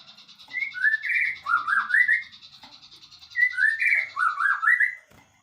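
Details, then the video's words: Murai batu (white-rumped shama) isian singing: two matching melodic phrases of looping, wavering whistles about two seconds apart, set against a steady high-pitched buzzing. "relaxing Bird sounds isian murai batu"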